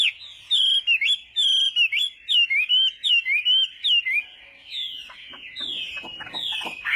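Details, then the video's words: Chinese hwamei singing at morning voice practice for duels: a brisk series of loud whistled notes, some held and flat, others swooping, fading after four seconds into quieter twitters and slurred whistles. "Hoạ Mi Hót Đấu /hoạ mi hót sáng luyện giọng kich bổi sổ giọng chim hót hay mỗi ngày/"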